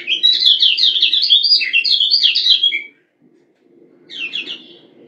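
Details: Female Lombok yellow white-eye, caged, calling to excite males: a rapid run of buzzy, wavering chirps lasting about three seconds, a pause, then a shorter softer burst, over a low constant hum.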